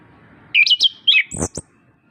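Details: Orange-headed thrush, a lively singer, in a master recording meant to coax reluctant birds into song: a brief run of whistled slurred notes followed by high thin squeaks.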